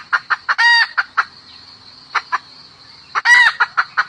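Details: A hen calls to a rooster with bursts of quick, sharp clucks, each burst topped by a loud nasal squawk, a short pause between the bursts, and a constant high-pitched insect drone in the background.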